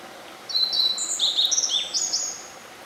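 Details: A Black-faced Bunting sings from a possible song post in a shrine forest in the quiet after rain, a quick two-second phrase of thin, high notes, bright flat whistles stepping up and down with a buzzy slur.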